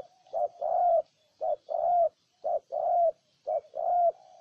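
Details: Spotted dove in Ninh Thuận, Vietnam, cooing in regular pairs: a short note, then a longer hollow coo, repeated four times in even succession.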